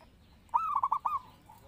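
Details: Zebra dove song offered as a lure and master call for training other birds: one short burst of five or six quick, low, mellow cooing notes rolling together into a stuttering trill, over a quiet background.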